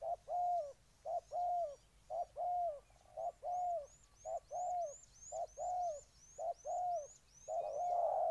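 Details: Spotted dove, Ninh Thuận province, Vietnam, singing a steady run of soft low coos in short-long pairs, about eleven pairs over eight seconds. A rhythmic series of thin high upslurred chirps from another bird runs alongside.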